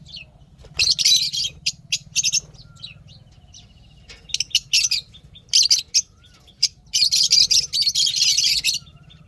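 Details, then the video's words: Happy pet lovebirds chirping: bursts of high, dense, scratchy chatter in clusters, with quiet gaps between, over a steady low mechanical hum. "lovebirds chirping sounds happy"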